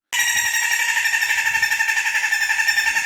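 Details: A Bush Stone-curlew gives its nighttime scream, a sustained, high, reedy wail that trembles and pulses about four times a second, steady in pitch throughout; in Australia it is likened to a woman crying or a child screaming.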